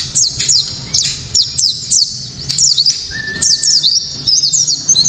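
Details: Clear, sharp white-eye 'tembakan' song, a lure for rival white-eyes: well-spaced pairs of high down-slurred chirps, then a long steady whistled tone and a quicker closing flurry of notes.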